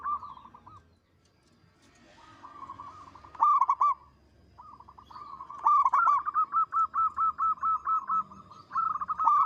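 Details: Zebra dove of local stock in lively song, big, long and melodious in voice: several bursts of quick staccato cooing notes separated by short quiet gaps, the longest burst a steady run of about a dozen even notes.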